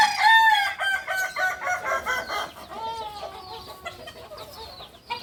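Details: Kukuak balenggek chicken, a native of Solok in West Sumatra, ending a loud, steady crow that fades over about two seconds, followed by softer chirps and twitters from other birds.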